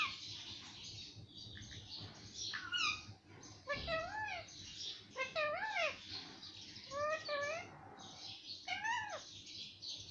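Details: Talking parrot, a bird that says mummy and papa, produces a series of wavering, voice-like syllables with rising and falling inflections, about one every second or two, against steady indoor background noise.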